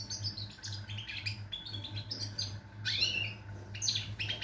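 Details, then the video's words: A European goldfinch sings on 22 September 2023, a fast, liquid twittering of jangling chirps and a rising slurred whistle, with a constant low hum beneath. "GOLDFINCH SONG"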